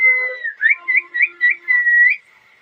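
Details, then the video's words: Ringneck parrot giving a sustained whistle, then a quick series of five short rising whistled notes about every quarter second, ending on a held tone. "Loud parrot noise || parrot talking sounds parrot chirping voice|| ring nick parrot"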